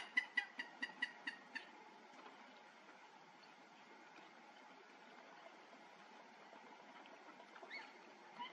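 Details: Common snipe at Les Cinq Tailles, Thumeries, France, gives a quick run of seven sharp, clipped notes in about a second and a half, then falls quiet over a steady background hiss.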